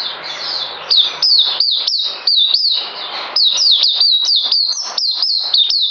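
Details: Songbird kept in captivity, recorded 9 December 2018, delivers a continuous stream of high, clear whistles, each dropping sharply in pitch. The notes come in quick bursts with a few softer, hazier notes early on.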